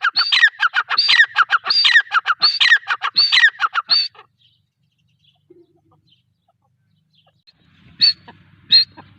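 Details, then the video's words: A female grey francolin (teetar) gives loud, harsh, repeated notes in quick bursts for about four seconds, then falls quiet before two more sharp calls. "female teetar ki awaz | gray franclin teetar sound"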